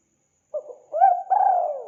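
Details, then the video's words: Spotted dove giving an energetic coo: a brief low opening note, a curved upward-hooked coo, then a sustained long coo that slowly descends, warm and low-pitched. "Suara burung tekukur gacor"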